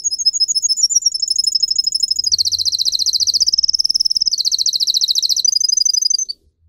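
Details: Canary training song with long, loud rolling trills that shift pitch in steps, each tour held for a second or more, running continuously for six seconds before falling silent.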